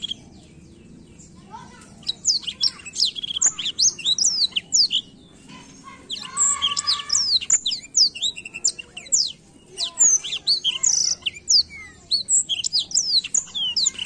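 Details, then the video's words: A black-throated canary sings a long, fast, high-pitched song of bright twitters, trills and rolling warbles almost without pause, used to stimulate young blackthroats to sing. "Blackthroat gacor ngerol ampuh pancing emosi blackthroat muda"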